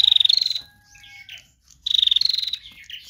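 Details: Bar-winged prinia female in trotol song, used to attract other birds: two loud, rapid pulsed buzzy trills, each followed by faint thin steady whistles and soft chips.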